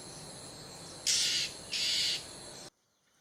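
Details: Two coarse, rasping bursts of alarm call from an Oriental magpie-robin in a garden in western Thailand, each about half a second long, over a steady high insect drone.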